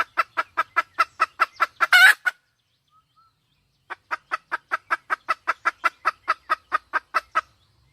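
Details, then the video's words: A wild junglefowl hen clucks in quick regular series, interrupted by a brief loud rasping squawk, then a pause before another even run of clucks. "Tiếng gà mái rừng"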